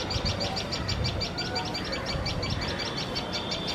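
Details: High, sharp alarm notes from tailorbirds as a male cat sits near their nest, repeated rapidly and evenly throughout over a rumbling low background.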